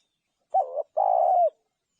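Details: Spotted dove giving a brief two-part coo: a short wavering note followed by a longer, steady, slightly rough coo that drops at the end.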